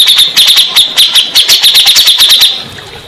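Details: Song of a grey-cheeked bulbul meant to make stressed birds that stopped singing answer back; a steady string of sharp, chattering notes, about five per second, fading out at the end.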